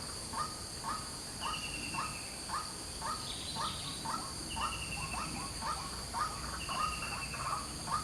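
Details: Morning calls of a white-breasted waterhen: a long series of clipped, harsh notes, about two per second, with a steady ringing insect hum and faint tones behind.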